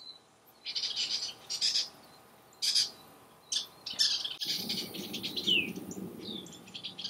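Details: Western kingbirds harassing a great horned owl in July 2015 near a water tank: loud, buzzy high chatters in separate bursts, then a continuous excited twitter with a sliding squeak over a low background rumble.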